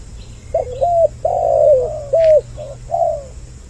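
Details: Short spotted dove lure passage with a doubled voice, used to bring males and females closer. It holds one long, drawn-out hoarse coo followed by three shorter falling notes over a soft background hum.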